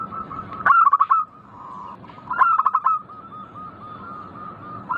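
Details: Two quick, stuttering trills from a local zebra dove, singing in the manggung ngayer style. Each trill is followed by a steady run of soft, evenly spaced coos.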